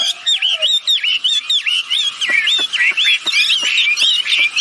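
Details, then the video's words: Both sexes of wambi bird calling hard, audio meant to lure others into calling; a run of bouncing, arched whistled notes about four per second, with sharp ticks and a brief low note at the start. "Suara burung wambi betina jantan gacor || mantap pancingan agar ikut bunyi"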